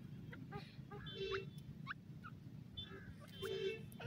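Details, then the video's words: Female grey francolin, known locally as dakhni or bhura teetar, from South Asia, giving short nasal notes with harmonics and quick rising squeaks, several within four seconds, over a steady low rumbling background. "female dakhni teetar ki awaz, bhura teetar ki boli"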